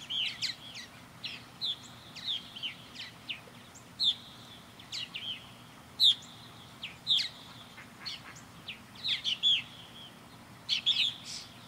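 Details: Several purple martins flying around a backyard bird house, keeping up a busy, continuous chatter of chirps, short rising notes and throaty gurgles for the whole stretch.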